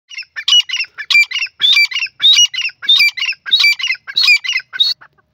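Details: A female grey francolin, known locally as teetar, calls in a steady run of harsh, squawky notes, about one and a half per second, each a short burst with a bright, shrill edge.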